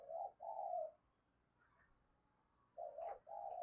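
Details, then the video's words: Spotted dove cooing in the early morning to provoke fighting and lure. Faint, distant two-part coos: a short note, then a longer mellow one. A second similar phrase follows after a quiet gap. "Tiếng chim cu gáy thúc đấu và chiêu bổi lúc sáng sớm"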